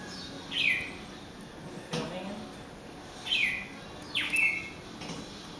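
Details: Small bird singing by a glass door, apparently reacting to its reflection; short bright chirps with falling sweeps, four notes spaced about one to two seconds apart, faint background hum.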